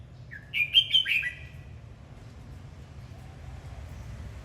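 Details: Red-whiskered bulbul singing while dancing: a short burst of bright, warbled whistled notes around a second long, four quick rising and falling phrases, followed by quiet with a low steady hum in the background.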